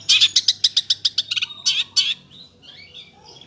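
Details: Energetic long-tailed shrike song: a quick string of sharp, chattering notes that slows and ends in two longer scratchy phrases, followed by faint, thin whistles.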